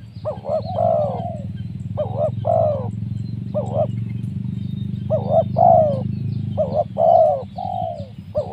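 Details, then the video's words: Spotted dove coos used for luring wild doves: repeated phrases of quick doubled notes, each leading into a longer mellow falling coo, about every one to two seconds, over a constant low engine-like drone. "Mikat tekukur,, sibanggo Poin suara mersik..."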